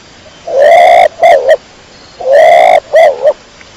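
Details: A pigeon, kept as a domestic bird, gives two phrases, each a long harsh note followed by two shorter clipped notes, repeated after about a second and a half of quiet.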